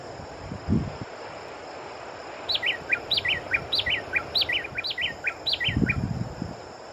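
Long-billed Wren singing clear whistled phrases of three quick falling notes, repeated about four times, over a steady high insect hum and a few low thumps.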